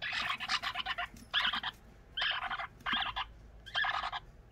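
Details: Young pet parrot, the youngest of the household's birds, begging persistently for food even though its crop is full. It gives buzzy, nasal, rapidly pulsed calls in bursts of about half a second, repeated with short pauses.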